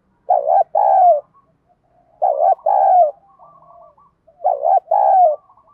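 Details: Coaxing coos of a spotted dove, 'giọng đồng' voice, for training decoys: three phrases about two seconds apart, each a quavering double hoot then a drawn-out falling coo, with faint soft notes trailing after.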